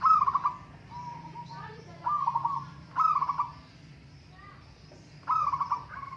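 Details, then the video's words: Singing contest of local zebra doves, several birds calling: bursts of quick, bubbling coos come every second or two, with softer, lower answering coos and faint chirps between them. "Burung perkutut lokal adu suara"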